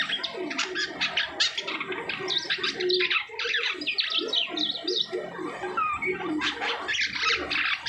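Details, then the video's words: Asian pied starling after moulting, its song a busy stream of rattling, squawking and whistled notes with some lower chuckling sounds, varied and nearly without pause. "SUARA UNIK JALAK SUTRA ATAU JALAK KAPAS"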